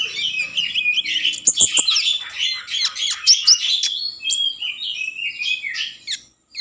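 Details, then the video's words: Common iora singing vigorously to rouse breeding mood and lure other ioras into song: a dense, unbroken stream of high chattering notes, sharp clicks and short whistles, fading briefly just before the end. "Konin gacor Mambangkit kan Birahi || pancingan konin agar bunyi"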